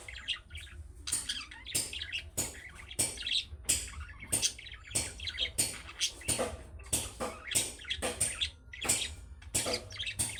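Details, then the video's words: Young budgerigars giving calling chirps that make other budgies reply at once: a steady run of bright, sharp chirps and raspy twitters, close together, over a quiet low hum. "MUHABBET KUŞU SESİ Kuşunuz Bu sese Karşılık Verecek Kuş Sesi"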